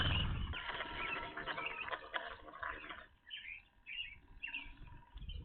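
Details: Evening grosbeaks at a bird feeder, a first sighting at this spot: loud low thumping and rustling give way to short chirped notes, then a series of clear, separate burry calls near the end.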